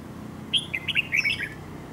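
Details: Dark-bibbed red-whiskered bulbul kept for fighting and trap decoying, delivering a brief lively phrase of about eight quick, chirping whistled notes within a second, over faint low background hum.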